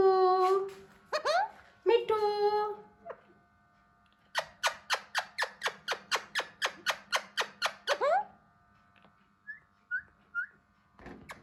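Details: Hand-tame raw Alexandrine parakeet in a room, trying to talk: several slurred harmonic notes, then a fast even run of about fifteen sharp, ringing squawks, ending with a few soft, high chirps.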